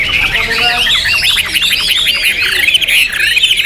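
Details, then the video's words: A Chinese hwamei pours out a loud, rapid song of looping, slurred whistles and sweeping notes, dense and varied without pause. "Hwamei Raja Tega Volume Dasyat"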